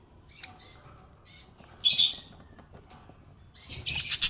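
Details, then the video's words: Happy pet budgerigar chirping: short scratchy high notes, then a loud buzzy chirp, a pause, and a closing burst of rapid harsh chattering. "Happy budgie chirping sound"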